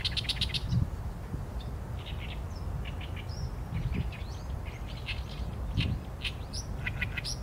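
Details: Continuous harsh, croaking song from an Oriental reed warbler: chattering phrases of scratchy, repeated syllables that vary in pitch, delivered almost without pause, with low droning noise underneath throughout.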